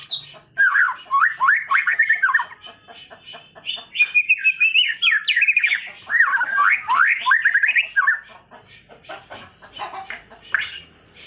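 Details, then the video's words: White-rumped shama singing energetically, readied for song contests; a continuous, richly varied warble of rapid whistled and chattering notes sliding up and down, broken by brief pauses, with clicking sounds in the background. "murai batu gacor siap untuk di lombakan"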